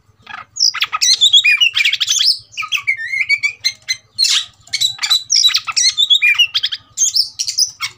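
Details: Kacer, the Oriental magpie-robin, provoked to fight, delivering dense harsh scratchy phrases mixed with whistled slurs, loud and restless in repeated bursts, over a faint steady low ticking.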